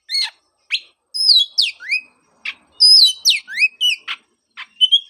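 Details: Oriental magpie-robin song used as a prompting track for a bird that stopped singing after moulting: varied whistled phrases with rising and falling notes, sharp chirps and buzzy bursts, separated by short pauses.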